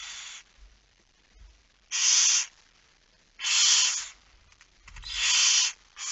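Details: Barn owl feeding at the nest at night, 22:45 on 10 September 2019. Three loud, rasping hiss bursts of roughly half a second each, spaced one to one and a half seconds apart, with faint low thumps between them.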